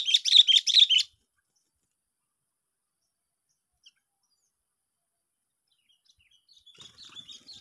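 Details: Sooty-headed bulbul during a luring session at a park, day six. A loud one-second burst of rapid chattering chirps, then near silence, with soft scratchy chirps returning near the end.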